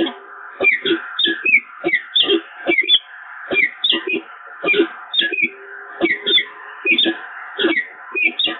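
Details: At the Evoluon nest, peregrine falcons bond again on 7 March 2022 with a long run of scratchy, chattering calls, about one and a half per second, irregularly spaced with a brief pause near the three-second mark.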